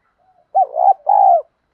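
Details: Single spotted dove coo phrase in 'thổ đồng' lure style for training new birds: a rising-then-dipping first note followed by a longer, level, mellow coo.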